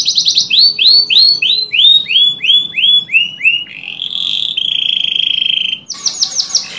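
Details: Canary singing as a lure for canaries that have stopped singing: about ten loud upslurred notes repeated quickly and stepping down in pitch, then a long rolling buzz and a fast trill.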